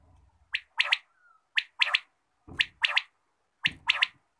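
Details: Quail in the morning repeating a crisp three-part call, a single short note then a rapid double note, four times at roughly one-second intervals, with faint low rumbling at the start.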